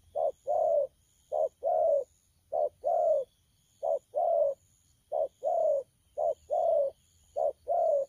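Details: Spotted dove youngster (bổi) cooing in the thổ pha manner, 12 October 2019: about seven paired coos, each a short note and a longer down-slurred one, repeated rhythmically with short gaps.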